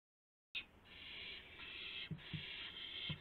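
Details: Owl at 12:25 AM on April 7, 2016, amid a gopher delivery with flapping and pouncing: sustained rasping screech with a few sharp low thuds near the end.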